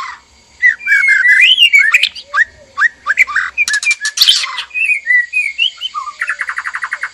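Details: White-rumped shama, a male and female in a captive breeding cage, in mating arousal; varied whistled phrases around mid-high pitch, rising slurs, sharp clicks and a fast buzzy rattle near the end.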